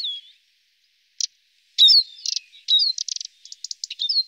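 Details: Eurasian siskin snacking on alder cones: a thin descending whistle, a pause, then quick chirps and buzzy trills with short rising notes, growing busier toward the end.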